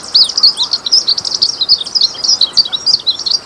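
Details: Azulinho, the glaucous-blue grosbeak, delivers a rapid, high-pitched twittering song of bright chirps and quick slurred whistles running without a break for over three seconds.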